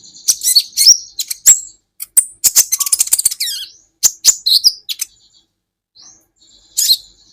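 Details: Kolibri ninja sunbird serving as a training recording for songbirds: high, sharp chips and a dense stretch of fast twittering with thin downslurred whistles, then quieter sparse notes.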